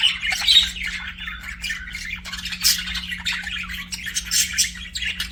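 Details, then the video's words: Budgies chirping and singing as pets, giving scratchy warbled chatter broken by sharper squawks and brief whistled notes, several birds overlapping, over a low constant electrical hum. "BUDGIES SINGING AND CHIRPING"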